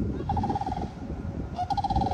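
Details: A sandhill crane near a Florida pond gives two bursts of loud, rolling, rattling trumpeting, each a quick run of pulses, over heavy low rumble and wind noise; the listener wonders if it is mating or annoyed.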